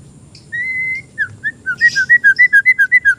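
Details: An untrained oriental magpie-robin in a training or lure recording gives one long, steady whistle, then a fast regular series of short falling whistled notes, about four per second, clear and loud.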